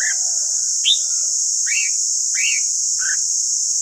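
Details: Red-whiskered bulbul song used to train the voices of other bulbuls, in the fiery 'căng lửa' style: a few short, arched, slurred whistled notes spaced about half a second apart, over a steady loud high hiss.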